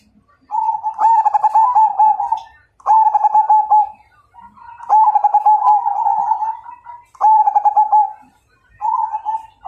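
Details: Zebra dove of the Majapahit type singing a challenge to fight: repeated cooing phrases, each a rapid trill of low tremulous notes ending in a drawn coo, given in bouts about every two seconds in a quiet room.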